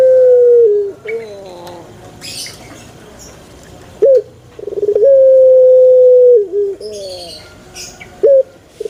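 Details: Male Barbary dove calling: a falling coo, a quiet gap, then a rolled burst leading into a long, steady hooting tone of about one and a half seconds, with wavering, curved notes in between and light clicks.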